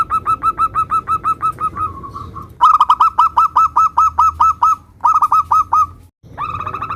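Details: Zebra dove, local bird, one of several varied songs compiled to quickly provoke other doves to reply. Fast staccato coos, about seven per second, in long runs separated by brief gaps, with a soft low background hum.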